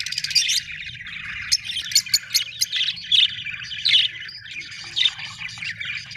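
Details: Budgies keep up a busy, twittering warble broken by sharp clicks and short squeaky bursts.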